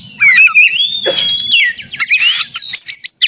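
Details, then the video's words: White-rumped shama in a contest simulation, holding long pure whistles that glide and level off, followed by a burst of harsh, buzzy notes and a run of short, clipped whistles. "kacer gacor konslet narung ini AMPUH buat pancingan kacer agar bunyi"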